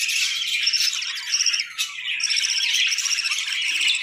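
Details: A group of budgerigars breeding through the winter chirps and warbles continuously, with sharp whistled notes standing out over the busy chatter.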